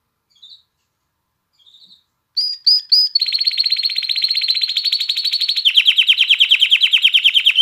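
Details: Canary song meant to stimulate females to mate and encourage chicks to sing: faint isolated notes, three loud whistles, then a long rapid trill turning into a deeper, pulsing roll.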